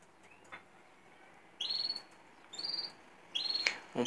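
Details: Wild European goldfinches singing outdoors among cypress trees around the neighbourhood, heard from a canary breeding room, give three short bursts of high, liquid twittering, each under a second long, separated by brief pauses.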